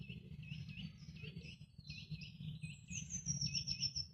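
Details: Eurasian nuthatch calling somewhere in woodland near a picnic area: a run of sharp, whistled notes repeated several per second, ending in a quicker, higher trill, over a steady low rumble.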